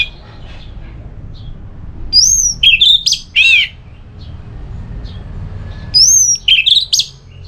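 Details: Orange-headed thrush, known locally as anis merah, singing to provoke another bird into song: two bursts of high whistled, slurred and buzzy notes about four seconds apart, with a low background hum between them.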